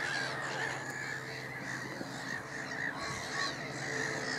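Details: A noisy flock of Black-headed Gulls (Chroicocephalus ridibundus) at Middleton / Fishers Mill gives harsh, rasping screeches, several birds calling over one another about twice a second, against a steady background hiss.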